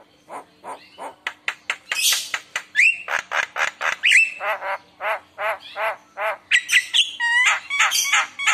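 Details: Javan myna in full, energetic song with varied mimicry, used to lure other mynas into singing; rapid repeated harsh, buzzy notes with whistled slides, steady for over eight seconds.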